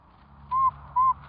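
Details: Curlew during the hatching of four chicks: a pair of soft, even, hoot-like notes about half a second apart, steady in pitch, with low background hum.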